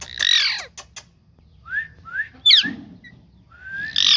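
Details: Green ringneck parrot giving a harsh buzzy screech and a few clicks, then two soft rising whistles, a short rasp, and a long upward-sliding whistle ending in another screech.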